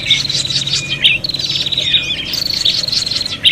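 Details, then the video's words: Prinia calling in an agitated, fighting manner, used as a lure: dense sharp chips and buzzy trills at a steady high pitch, with several calls overlapping and a steady low hum underneath. "suara prenjak pikat ribut tarung"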